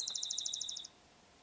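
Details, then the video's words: A Spotted Towhee close behind the recordist outdoors gives a fast, dry, high trill of about a dozen even notes lasting under a second, then falls quiet over faint background noise. "Do you guys hear that spotted towhee that's right behind me?"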